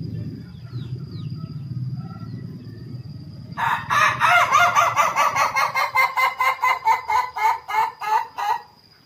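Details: Penned male Ayam Ketawa trained for a long unbroken crow: after low background rumble, a sustained laughing crow of steady rapid pulses runs about five seconds, gradually spacing out before stopping.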